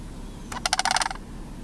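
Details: Two juvenile sandhill cranes at George W. Mead Wildlife Area give a brief, rolling rattle of about eight quick, harsh pulses over half a second, with soft background hiss.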